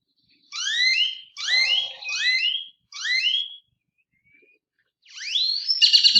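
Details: A Great-tailed grackle (Quiscalus mexicanus), a very loud backyard bird of suburban Phoenix, Arizona, gives four loud, sharply rising whistled slurs in quick succession, then a pause and another upslurred whistle ending in a harsh, mechanical rattle.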